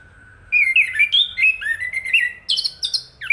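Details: Chestnut-capped thrush delivering a fluid whistled phrase: slurred notes wandering up and down, then a few higher, sharper notes and a final rising slur.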